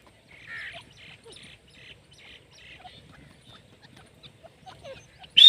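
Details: Female grey francolin (Ortygornis pondicerianus) calling: a series of high, harsh, scratchy notes about twice a second, fading gradually, then a sudden loud, shrill note at the end.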